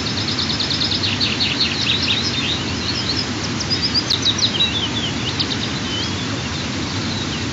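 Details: A 23–25-day-old white-tailed eagle chick at the Altynychi nest during the third morning feeding, 15 June 2023, 07:47–08:03. It gives thin, high chittering peeps in quick uneven runs over a steady rushing hiss.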